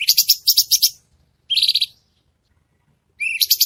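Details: Red-whiskered bulbul masteran, a tutoring recording for caged songbirds, in a sharp, dense 'tembakan' (shots) style with clear tone: three bursts of very high, rapid, buzzy chattering notes, each under a second, separated by silences.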